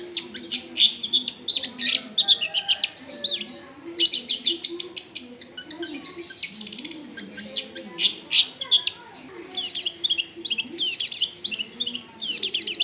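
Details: Long-tailed shrike in full vigorous song recorded at a house in a crowded residential area: long runs of rapid sharp chattering and buzzy high notes in dense bursts, with low background murmur throughout.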